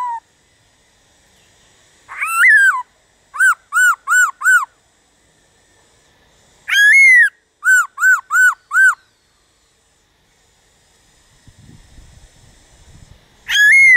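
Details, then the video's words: Laughingthrush song played to stimulate other laughingthrushes to sing: loud whistled phrases, each a rising slurred note followed by a run of four quick, even, bouncing notes, repeated twice with pauses, faint low rumble between. "Khướu Hót DÉO BỔI - GỌI BỔI kích thích bổi hót/kích thích khướu bổi căng lửa"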